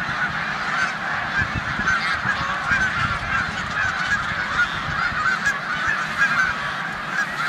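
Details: Huge gathering of snow geese in a corn field in upstate New York in mid-March 2020, preparing to migrate to the Canadian tundra; a relentless clamor of overlapping honks with some low rumble below.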